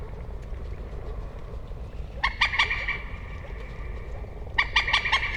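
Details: Common moorhen calling twice, each a short run of clipped, croaky kek notes in quick succession, with a thin continuous tone and low rumble behind.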